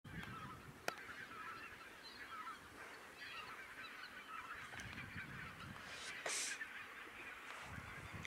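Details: A foraging flock of red-breasted geese at Schaaphok gives a continuous chatter of squeaky, yelping calls, with a few louder honks standing out, over a low background rumble.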